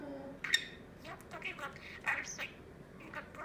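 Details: Pet budgerigar (Melopsittacus undulatus) in a quiet indoor room chatters mimicked words such as "super super smart" and "super cute" in quick, high-pitched, scratchy, uneven bursts.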